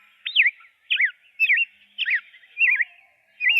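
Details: Rose-breasted grosbeak song: sweet, rich warbled phrases of rising and falling whistled notes, delivered in short bursts about every half second with brief pauses between.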